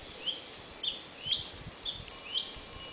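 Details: Juvenile Taiwan blue magpie practising its song in Wulai, Taiwan, on 5 July 2009. Five short, clear, rising whistled notes about half a second apart, over a steady hiss of cicadas.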